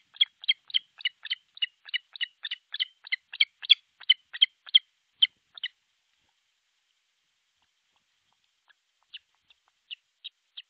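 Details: Osprey at an artificial nest in northern Satakunta, Finland, nest-camera recording from 6 July 2023 near midday; a fast run of about fifteen piercing whistled notes over six seconds, then silence and a few softer, spaced notes.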